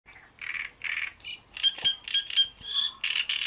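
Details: A great reed warbler at Bohdanečský pond sings a harsh, grating series of chattering phrases, with rasping notes and a few squeaky whistles strung together at a quick pace.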